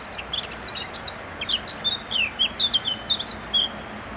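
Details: Eurasian blackcap singing: a lively run of quick, high twittering notes that slides into clearer, fluty warbled phrases, dipping and rising over about four seconds, with a faint background hiss.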